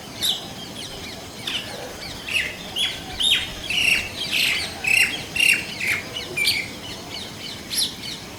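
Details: Indian common mynas, a group of birds calling: a run of harsh, squawking notes about twice per second, some with short rising whistles, varied in pitch, over faint steady background hiss.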